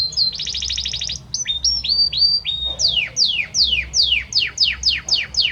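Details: Belgian canary male singing much for the female: a fast bright rattling trill, short rising whistled slurs, then a long steady series of loud descending swoops repeated about twice a second.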